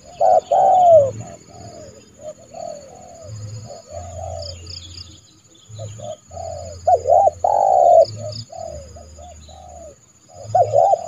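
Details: Trained spotted dove kept as a decoy, calling to lure a rival bird into the yard to be trapped unharmed; repeated hoarse cooing notes in short bursts, some loud and some soft, with brief pauses and faint high chirps.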